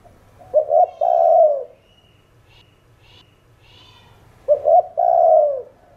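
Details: Two spotted dove calling coo phrases in 'thổ đồng' style, each a clipped double note leading into a drawn-out falling coo; soft high twittering from another bird between them.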